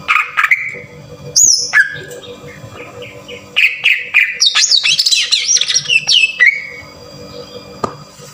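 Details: Lure song of a green leafbird, harsh 'tembakan kasar' style meant to stir caged birds into full song: a high squeal, short level whistles, then a dense jumble of rapid chirps and trills before a falling whistle.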